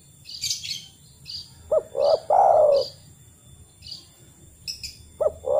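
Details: Spotted dove coo used to lure reluctant doves into calling: one complete low three-part phrase ending in a long hoarse note, then the start of another, while small birds chirp and twitter higher up throughout.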